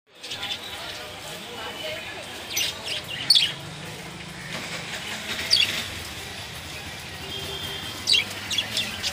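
Long-tailed finches give thin, high chirps in three short clusters a few seconds apart, over a steady background hiss with faint murmuring.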